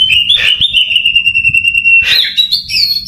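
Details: Oriental magpie-robin kept for contest training, after patient work on a poor-quality bird, delivers a long level whistle of nearly two seconds, then a burst of quick notes and a rising, higher whistle.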